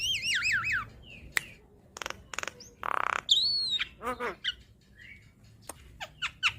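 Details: Javan myna singing in a training recording for cage birds: wavering whistles, scattered clicks, a harsh buzzy note and a slurred whistle, with pauses between bursts.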